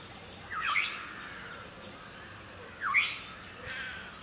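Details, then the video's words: A Black-headed Oriole calling to its chick in April 2006 gives two loud, liquid whistled notes that rise sharply, about two seconds apart; a white-breasted waterhen and other birds call faintly in the background. "Prominent bird calling is Black headed oriole to chick."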